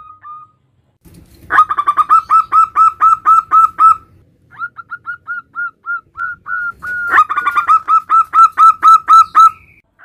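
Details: Local male zebra dove calling its mate: rapid series of short, clear cooing notes, about four per second, in two loud bursts with a softer, slightly uneven run of notes between them.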